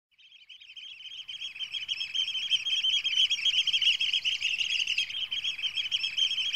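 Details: A Eurasian oystercatcher attacks a drone, giving loud, shrill piping alarm notes several a second that swell into a frantic continuous stream.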